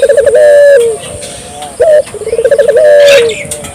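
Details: Energetic Barbary dove calling to spur local doves into calling: a loud stuttering roll into a long low coo that sinks at the end, a brief note, then the same phrase again; faint background chirps.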